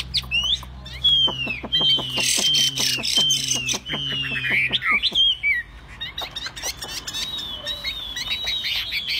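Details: Hand-carried tame Chinese hwamei singing a lively string of whistled and slurred notes with sharp clicks, while low rumbling sounds run beneath the first half before the song carries on alone.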